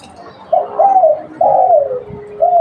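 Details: Local spotted dove calling as a lure bird: three loud, mellow coos near the same pitch, each slightly falling and drawn out, spaced about a second apart, with faint background murmur.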